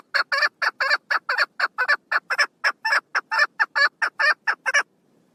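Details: Female chukar partridge, recorded 1 June 2022, giving a rapid run of harsh, chuckling notes about four per second, each broad and grating, ending abruptly after some five seconds with no other sounds.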